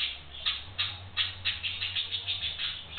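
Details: Two young pet budgerigars, kept about five weeks, chatter playfully in quick, scratchy high chirps, about three each second, over faint hum, a radio and a video of their own voices playing. Budgerigar.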